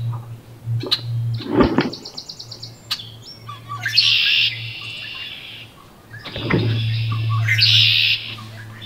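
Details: Wood duck in a nest box during incubation, 25–31 May 2021, gives high, thin squealing calls and quick chirps in short bursts over a steady low electrical hum.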